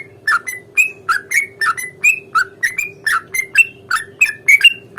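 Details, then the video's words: Sooty-headed bulbul delivering a long ropel fighting song to coax a reply: a steady stream of quick, slurred chirps rising and dipping, around three per second, somewhat softer, with a faint hum beneath. "trucukan gacor tarung ROPEL PANJANG pancingan trucukan agar bunyi JADIKAN burung trucuk GACOR nyaut"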